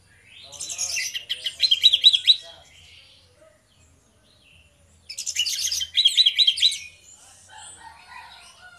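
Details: Orange-headed thrush duo singing in the 'ngeplong' style, a lure to make birds sing: two separate bursts of fast, tumbling, high warbled phrases about two seconds long each, divided by silence, with faint soft chirps afterward.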